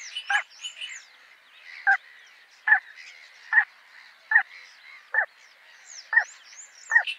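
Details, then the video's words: Little Crake giving short, loud barking notes roughly every second in a steady repeated series, over a chorus of small songbirds chirping and trilling higher up. "Little Crake"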